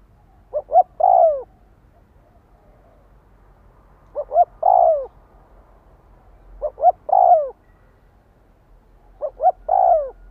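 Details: Spotted dove calling to rouse a decoy bird. Four evenly spaced phrases about every two and a half seconds, each two or three short clipped coos followed by a drawn-out descending coo.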